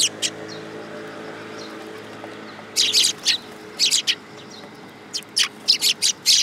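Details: Tree sparrows coming for food at a Tenmangu shrine, 19 August 2022. After a few opening chirps and a lull, clusters of loud, sharp chirps follow in quick succession to the end.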